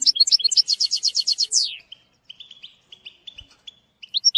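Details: European goldfinch in a training song for young birds: a fast run of ringing chirps and a sharp falling sweep, then quieter spaced notes and a brief renewed twitter.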